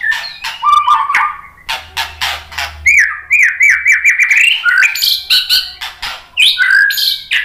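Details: White-rumped shama song used as a lure to stir up fighting males; loud varied whistles, harsh chattering bursts and slurred descending note series, with a quick squeaky flourish near the end.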